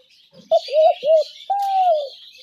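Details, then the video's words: Spotted dove call used as a lure sound for trapping doves: two or three short low cooing notes, then one long drawn, slightly arching coo, with faint twittering of other small birds behind. "ঘুঘু পাখির ডাক/Dove bird calls/gugu pakir dak/ dove trap sounds"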